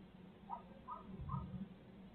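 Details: Barred owls in Midtown Tulsa, from a 2020 live feed: three short, nasal, squawky notes about a third of a second apart, over a steady low hum.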